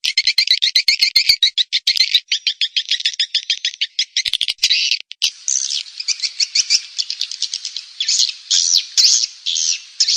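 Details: Swiftlet calling and roosting sounds, used by swiftlet farmers in Indonesia to draw birds into a nesting house: dense, fast, high buzzy chirps in rapid trains. Later the notes become longer, spaced rasping twitters.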